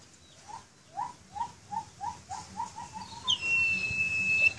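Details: Caged Asian pied starling (Gracupica contra) singing actively: a quick run of about nine mellow, upslurred notes, roughly three per second, then one long, steady, high whistle.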